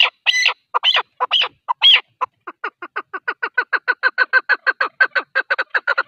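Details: A male partridge, recorded as a hunting call, gives a few harsh, wheezy notes, then a fast, steady run of clucking chuk-chuk-chuk calls, about two each second and quickening.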